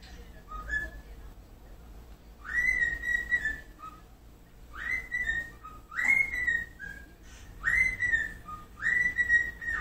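A cockatiel whistles a tune in clear, pure notes, repeating a short phrase about every second and a half.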